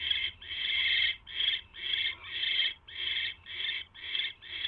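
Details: Owl making repeated raspy hissing calls as the male delivers prey to his mate, one long rasp followed by shorter ones at a rate of nearly two per second, over a soft background hum.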